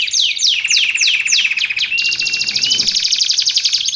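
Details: Canary song used for masteran training and luring: four loud descending whistled swoops about half a second apart, a short pure whistle, then a fast continuous pulsing trill.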